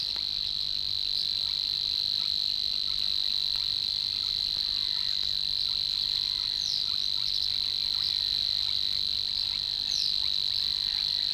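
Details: Savi's Warbler singing in the reed beds of Matsalu, field recording released in the USSR in 1979: one unbroken, even, buzzing reel held at a single steady high pitch for the whole stretch, with a few faint other bird notes above it.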